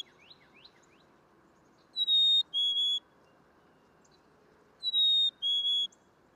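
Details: A Black-capped Chickadee whistles its spring song, the clear two-note fee-bee with the second note slightly lower, given twice about three seconds apart over soft background hiss and faint chips.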